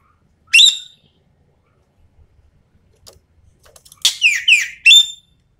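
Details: Common green magpie from Sumatra, recorded as a lure: an opening shrill note, a quiet gap, then a dense run of harsh rasps and falling whistled notes ending on a bright high call.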